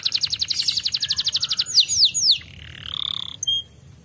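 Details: Canary singing in griwik style, a lure recording meant to make canaries start singing: a fast, high, buzzy trill of about thirty even notes, then three sharp downslurred sweeps, a sliding whistle and brief high pips.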